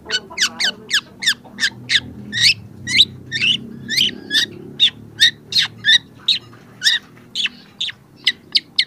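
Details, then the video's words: Young long-tailed shrike in full song, recorded as training material for other shrikes: a long steady series of sharp, varied chipping and slurred notes, roughly two to three per second, carrying clearly over faint low hum. "cendet muda sudah gacor pancingan cendet malas bunyi"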